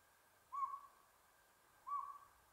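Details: Northern pygmy owl at Buckhorn Campground, San Gabriel Mountains, Los Angeles, on 7 April 2022, giving two clear, hollow single-note toots about a second and a half apart over a faint steady hum.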